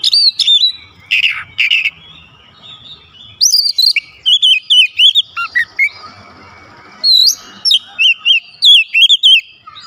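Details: White-rumped shama singing a varied run of loud whistled phrases, sweeping and looping notes between mid and very high pitch, in bursts with short gaps, some harsher buzzy notes near the middle; no other clear sounds.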